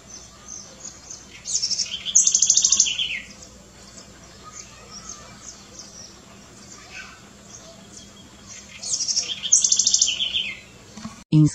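A house wren gives two bubbly, rapid bursts of high, jumbled trills and chatters, each about two seconds long, over quiet background hiss.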